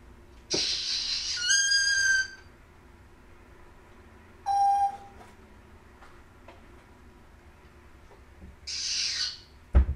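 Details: African grey parrot kept indoors as a talking pet, noisy harsh burst, then a clear steady whistled tone with harmonics, a lower whistle, and another harsh burst; room hum underneath.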